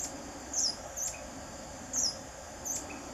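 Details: Buff-bellied hermit repeating high, thin, squeaky chip notes, four in about three seconds, clear above a constant hum of insects.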